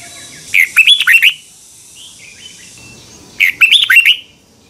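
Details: Morning training song of a red-whiskered bulbul, a double twisting voice meant as a lure for training other birds: two quick phrases of slurred, warbling whistles, each under a second, separated by a pause.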